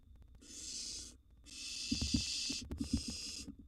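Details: Feeding in a wild barn owl nest box, mouse prey dropped and a gerbil eaten: three rasping wheeze-like hisses, the middle one longest, over faint taps and rustles.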